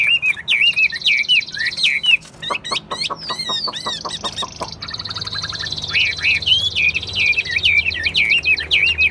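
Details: Caged Chinese hwamei from Vietnam, a fighting and singing bird, giving wavering looped whistles, then a burst of sharp clicks and rattling notes under a sustained high trill, before resuming rolling whistled phrases; faint low hum throughout.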